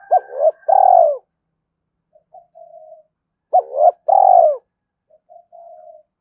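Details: Spotted dove cooing in the Hải Hậu calling style to provoke a wild rival: two coo phrases about three seconds apart, each with short rising notes and a long falling coo, followed by soft low trailing notes and a faint steady higher tone.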